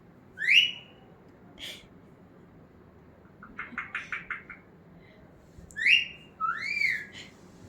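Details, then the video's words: Pet talking parrot indoors producing a few loud, harsh rising squawks and a short burst of rapid, voice-like syllables, with quiet pauses between. "Talking parrot"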